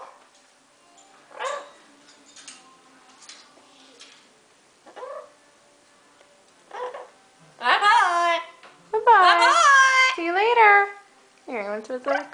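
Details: Pet Amazon parrot, a female, in evening chatter gives scattered speech-like syllables, then a loud run of rich, wavering, rising-and-falling sung notes from the song Desperado; a person talks quietly in between.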